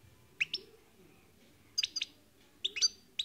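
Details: European goldfinch singing: three brief bursts of high, clipped twittering notes about a second apart, with faint low background hum between them.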